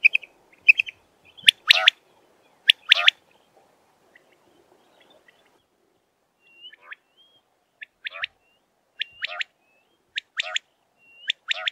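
Common quail giving a few loud, sharp, harsh notes, then a run of softer, high chirping calls repeated about once a second. No other sounds are heard.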